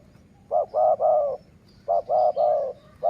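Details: Dove of the Sai Mueang (สายเมือง) line, used as a decoy for luring wild doves: two phrases of low, rounded coos, three to four notes each with the last one drawn out and rolling, then the start of a third phrase.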